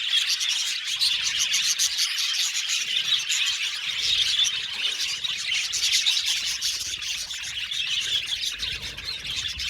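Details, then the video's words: Budgerigar colony in an aviary, many birds chirping at once; busy high twittering and squeaky warbles run throughout with small swells in loudness. "Beautiful budgies chirping sound | Budgies sound for lonely budgies"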